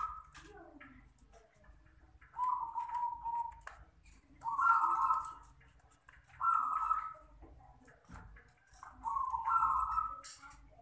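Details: Local zebra dove with a small voice cooing: four rolling, slightly buzzy coo phrases, each about a second long and often stepping up in pitch at the end, repeated every two to two and a half seconds over low background rumble.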